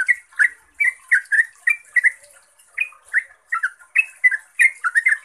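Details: Yellow-vented bulbul in rapid, lively 'ropel' style song, used as a lure to make other bulbuls answer: bubbly, gurgling two-note phrases, irregular and chattering, with a thin high hiss above.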